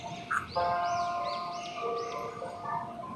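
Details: Pet ringneck parakeet talking to a mirror gives a quick run of high, arching chirps, about four a second, over a steady droning tone.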